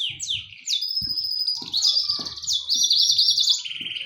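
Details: Singing canary, fully started, giving sharp rising whistles that run into a long sustained high note with a fast wavering trill, then a lower rolling tail; soft low knocks in background.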